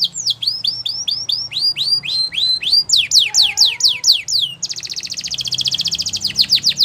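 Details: Singing Belgian canary delivering repeated upswept whistles, then louder descending sweeps, shifting into a dense, very fast buzzy trill with a few sharp falling notes at the end.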